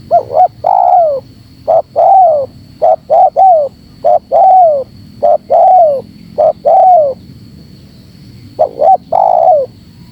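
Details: Spotted dove lure call in the tight-pressing style, used to provoke wild doves: a quick two-note coo followed by a longer falling coo, repeated about a dozen times with short pauses, over a faint steady high whine.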